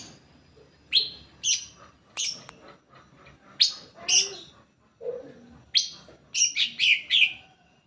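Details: Greater green leafbird song for luring other leafbirds into song: bright, sharp chirps delivered singly and in rapid runs, with softer lower notes scattered between.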